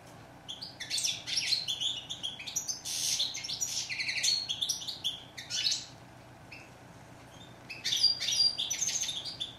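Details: Rapid, jangling goldfinch song in three dense outbursts of high twittering and buzzy chatter, with a near-silent stretch before the final burst.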